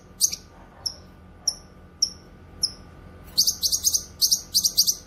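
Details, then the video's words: Grey-cheeked bulbul, locally cucak kinoy, on a training and lure recording: one sharp chirp, then four evenly spaced thin falling whistles, breaking into a dense burst of very high chattering notes. "Masteran suara burung CUCAK KINOY gacor cocok untuk masteran dan pikat"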